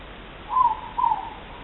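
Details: Ruru or morepork, one of a pair, recorded on 3 August 2014: a double hoot, first syllable sliding down slightly, second lower and trailing off, with a faint echo-like tail and steady low hiss.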